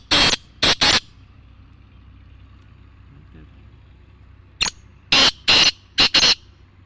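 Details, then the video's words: A black francolin gives harsh, grating, high notes: a rapid phrase of three, then after a pause a louder phrase of five, over faint background hum. "mushki teeter singing birds مشکی تیتر"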